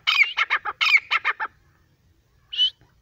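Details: A francolin (partridge) gives two quick bursts of about five harsh, grating notes each, then one lone higher note after a pause; male and female francolin voices are said to feature, with no other sounds heard.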